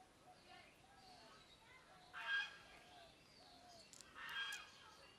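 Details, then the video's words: Parrot giving two loud, harsh, broadband squawks about two seconds apart, each a short noisy burst, over a quieter background of faint chirps and murmuring. "Loud parrot sound"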